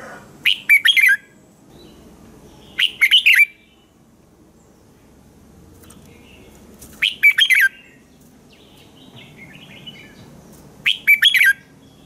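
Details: Morning song of a red-whiskered bulbul for training other bulbuls to sing: four brief phrases of three or four sharp, chirpy whistles at irregular spacing, with faint softer notes and quiet background between.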